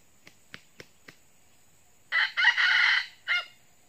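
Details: Red junglefowl call used to lure wild junglefowl: four sharp, evenly spaced clicks, then a loud harsh crow lasting about a second, broken into rough pulses, followed by a short final note. The background is otherwise quiet.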